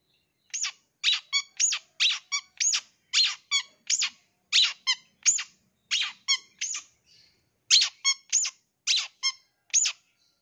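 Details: Long-tailed shrike lure sound used to draw a response from wild-caught young birds: a steady series of short, harsh, scratchy squeaks with broad bright harmonics, delivered in quick bursts of about two per second with brief gaps.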